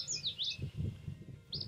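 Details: Common Yellowthroat in a marsh giving quick, high, swooping notes in a short burst, with another phrase starting a second later, over a low rumble of wind or background noise.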